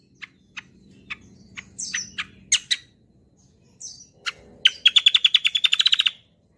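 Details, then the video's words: Kecial kombo used as a lure and song model for other birds: spaced sharp high ticks and buzzy slurs, then a fast, steady rattling trill of about a dozen pulses that stops abruptly. "BURUNG KECIAL KOMBO CUCAK KOMBO ROLL TEMBAK GACOR || UNTUK PANCINGAN BUNYI BURUNG BAHAN MANTAP"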